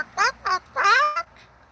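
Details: Pet male Moluccan cockatoo giving his 'bock' sound on request from his owner during a live stream on a sunny patio: three short, harmonic, honking notes, the third longest with a rising then falling tone, followed by a brief fourth note.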